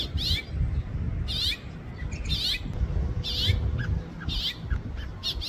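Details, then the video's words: House finch giving short, bright chirping calls in bursts about once a second, high and slightly downslurred, over a steady low rumble of background noise. "Calls of a House Finch Bird"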